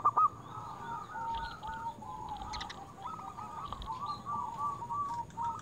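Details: Zebra dove lure call: a long, fairly quiet string of rolling mid-pitched coos, nearly continuous, with a few faint higher chirps and background noise.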